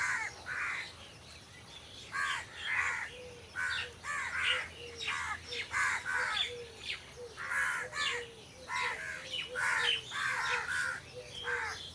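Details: Crows calling among trees, a rapid series of harsh, hoarse caws repeated roughly every half second, several birds overlapping, with a lower clipped note beneath each caw.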